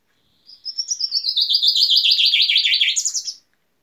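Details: Common chaffinch singing: it opens with a few thin high notes, then gives a rapid rattling series of notes stepping steadily lower, and closes with a brief high flourish. The full phrase lasts about three seconds against silence.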